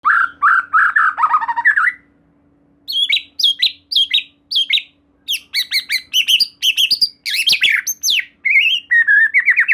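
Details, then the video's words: White-rumped shama, known locally as murai batu, singing a lively lure song meant to prompt another shama to sing: rapid slurred phrases, sharp whistled notes and chattering bursts, with a short pause near two seconds. "Silahkan Coba Video Pancingan Murai Batu Gacor Ini, Murai Bahan Pasti Bunyi || Voice of Murai Batu"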